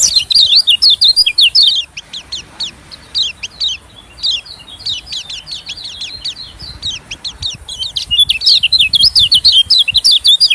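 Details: Long stretch of white-eye lure calling meant to attract small birds, especially white-eyes: steady high, quick zigzag chirps and twitters in rolling bursts with only brief gaps.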